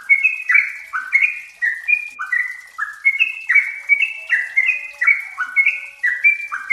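Yellow-vented bulbuls chatter in bubbly, gurgling phrases that rise and drop, overlapping almost twice a second, with several birds seemingly singing together.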